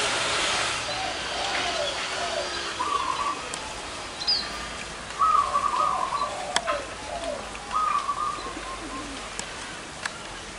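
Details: Several zebra doves, large- and small-voiced, gathered at a spot favoured by bird catchers; short bubbling staccato coo phrases repeated about every two and a half seconds, with other faint high bird notes around.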